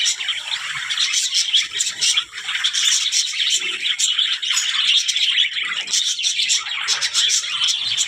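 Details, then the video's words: Continuous high-pitched budgerigar twittering, described as talking, with quick chirps and scratchy warbles overlapping steadily, briefly dipping in loudness early on. "budgies parrot talking | chidiya ki awaz"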